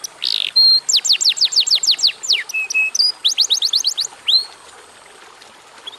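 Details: A canary opens with a harsh burst, then sings quick series of descending whistled sweeps broken by a few flat held tones and a final rising note, ending in quiet after four seconds.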